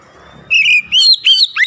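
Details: Oriental magpie-robin song used to provoke rival magpie-robins. A loud, sustained, high whistle runs into rapid, warbling, slurred whistled notes that rise and fall, over a faint low rumble at the start.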